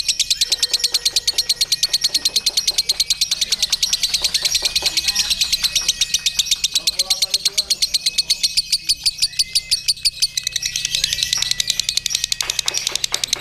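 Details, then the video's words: Caged lovebird hung up in a singing contest with a hired handler, delivering a long ngekek: a rapid, unbroken train of harsh, buzzy chattering pulses, about three per second, over faint whistling from other contest birds. "SEMAKIN ENAK NGEKEK NYA LOVEBIRD"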